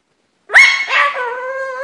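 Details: Captive pet cockatoo saying its favourite word: a sudden harsh rising onset, then a steady nasal harmonic tone held for over a second before fading, with no other sounds.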